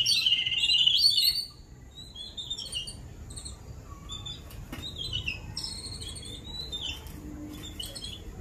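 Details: Two flightless chicks, known locally as seven sisters, kept in a small cage outside a house under a big mango tree, being fed by many adults early in the morning; shrill high chirps burst loudly for a second and a half, then softer scattered chirps continue.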